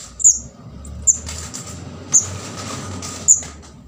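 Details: Begging call of a juvenile orange-headed thrush, used as a bird-catching lure: four brief piercing high chirps at uneven intervals over noticeable hiss and low background noise.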